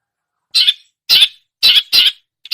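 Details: A long-tailed shrike copies other songbirds, giving four loud, raspy, scratchy notes spaced about half a second apart, with a fifth just starting at the end.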